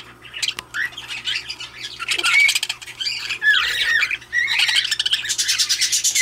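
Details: Budgerigar of the recessive pied opaline variety chattering: rapid buzzy squawks mixed with short whistled notes and grating clicks, delivered in uneven bursts over a faint constant background hum.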